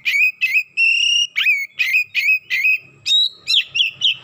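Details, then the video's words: Excited Oriental magpie-robin unloading its repertoire: clear whistled notes, some held for half a second, others bent sharply downward, in a quick uneven sequence that ends on higher, chattering phrases. "DENGAN HITUNGAN DETIK KACER NAIK EMOSI BONGKAR ISIAN"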